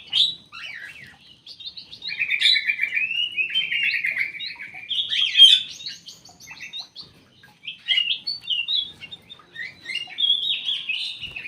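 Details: White-rumped shama released into an aviary and now at ease there, pouring out clear, varied song: buzzy trills, sliding whistles and quick chattered phrases, with short pauses between bursts and no other noise.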